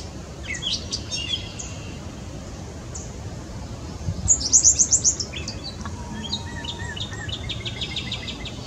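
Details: Gray catbird singing a rambling, varied phrase of squeaky high chips, slurred whistles and a quick rattling burst of about five bright notes midway, with pauses between phrases and a low steady rumble behind.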